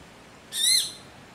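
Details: Golden-olive Woodpecker in mangroves at Clifton Hill beach, Trinidad, giving its distinctive call: one short, clear, slightly arched note that rises and falls over a third of a second, ringing with bright overtones, against quiet background hiss.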